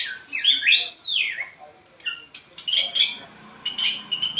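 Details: Caged white-rumped shama of the blorok type, singing hard, played to coax a lazy shama into song: loud, swooping whistles rising and falling, then bursts of harsh, high chattering notes.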